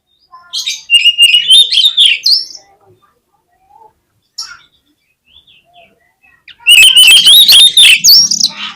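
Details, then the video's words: Oriental magpie-robin (kacer) lure song: two loud bursts of varied whistles and harsh chattering notes, rising and warbling, separated by a quiet stretch with a few faint short calls. "KACER LANGSUNG PECAH SUARA MENDENGAR PANCINGAN INI !!! KACER LOYO PASTI IKUT GACOR"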